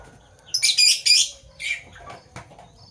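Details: Parblue violet and parblue turquoise Fischer's lovebirds chirping in the morning: harsh, high, buzzy bursts crowd together, two long rasping notes then a shorter scratchy one and a thin click-like chirp.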